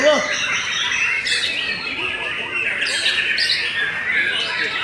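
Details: Belanda white-rumped shama singing softer, rambling phrases of high chirps and whistles, with a few sharp bursts and steady hiss behind.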